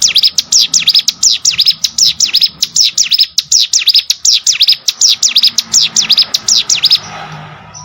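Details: Prinia (ciblek sawah) sings a fast, steady stream of shrill, downward-sweeping chirps mixed with short ticks, going for about seven seconds before stopping abruptly, leaving faint room hiss.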